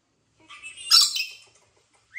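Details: Captive rainbow lorikeet, kept as a talking pet, lets out one short harsh, raspy squawk in an otherwise quiet room, followed by a faint rising squeak.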